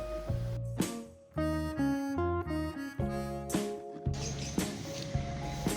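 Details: Only instrumental music is heard, with harmonica-like and guitar-like tones and no animal calls.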